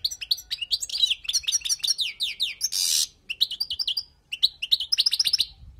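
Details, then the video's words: Wild European goldfinch singing, in a recording meant for tutoring. The song is a rapid, bright twittering of high, tinkling notes with sliding chirps. It is broken by a harsh, buzzy rasp midway, then resumes in quick repeated runs. "تغريد حسون خلوي للتعليم"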